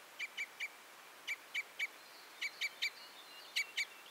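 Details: Red or common crossbill giving loud clipped 'kip-kip' notes in groups of two and three, spaced by short pauses, with a faint thin twitter near the end.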